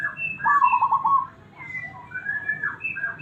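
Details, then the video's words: Local zebra dove with a big, round, cool voice, offered as a master recording for training other birds: a rapid pulsed coo lasting under a second, then scattered thin, higher whistled notes. "Perkutut Lokal Suara Besar, Bulat Dan Adem"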